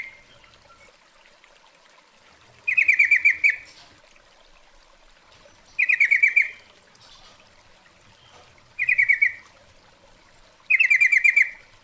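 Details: Female sooty-headed bulbul calling for a male, a lure recording: four bright rattling bursts of rapid notes, spaced two to three seconds apart after a quiet opening.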